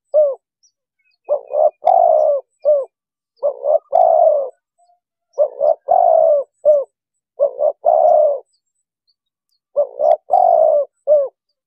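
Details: Spotted dove call used as a lure for trapping wild birds, very clear: phrases of low mellow cooing notes, a short coo then a longer drawn-out one and a clipped ending, repeated every few seconds with silent gaps.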